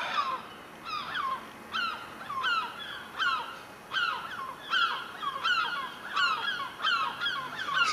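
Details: Gulls still vocal around a house roof and chimney pot. A steady series of sharp, harsh, falling cries about every second, some doubled, with faint background hiss.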